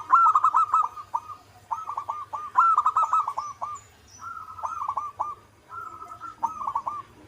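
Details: Local perkutut, the zebra dove, cooing in repeated phrases: each begins with a bright note and breaks into a quick stuttering run of pulses, phrases spaced about every one and a half seconds.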